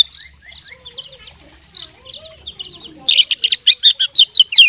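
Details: Oriental magpie-robin bred for fighting, song stuffed with mimicked phrases: soft, distant-sounding whistles for three seconds, then a sudden loud outburst of sharp, high, rapid chirps and slurred notes.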